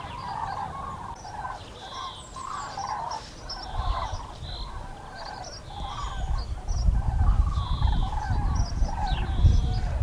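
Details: Over the Eifel, Germany, on 6 March 2018, common cranes call in flight: a steady stream of trumpeting notes from a flock, several per second, with low wind rumble growing louder toward the end.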